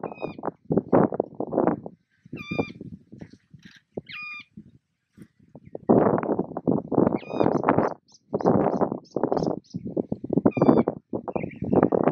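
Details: Juvenile Mulga parrots (Psephotellus varius) being fed at Patchewollock Conservation Reserve, Victoria, beg in harsh, rapid, rhythmic bursts of chattering, each about a second long, mixed with short squeaky whistled notes between feeds.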